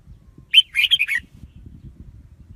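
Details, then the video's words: Red-whiskered bulbul lure song for trapping wild birds: one lively phrase of quick warbled chirps over a low rumbling background. "Tiếng chim chào mào mồi dùng đi bấy cực sát bổi"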